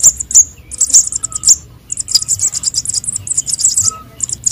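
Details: Sunbird young, konin and sogon, in a lure recording. Rapid, very high chittering runs almost without pause, with several sharper accented notes near the start and a soft low hum beneath.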